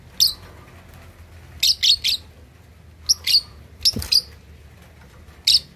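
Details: A 2.5-month-old lovebird learning to chatter gives clusters of two or three harsh high chirps, separated by brief silences, with a faint thump near the middle.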